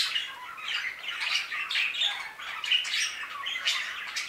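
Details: Budgerigars calling in an aviary: steady hoarse chatter of overlapping squawks and warbling twitters, rising and falling without break.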